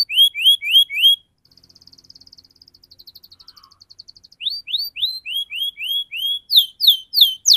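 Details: Canary singing in the fast, tight, rolling 'ngerol' style, used as a tutor to get young canaries to sing: bright upswept whistles, then a rapid buzzy trill, then more rising whistled notes at quick pace.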